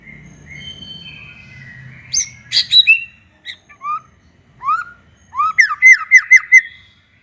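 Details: White-rumped shama in energetic full song, used as a bait song to provoke other shamas into singing: a soft low hum, then sharp whistled notes, rising slurred phrases and a quick run of five bright downward-sweeping notes.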